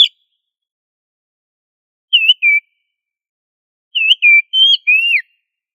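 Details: Oriental magpie-robin (kacer) in full, energetic song, used as master song to train other magpie-robins to sing loudly; after silence, a short whistled pair of notes, then a longer burst of four clear, slurred whistles around mid-high pitch.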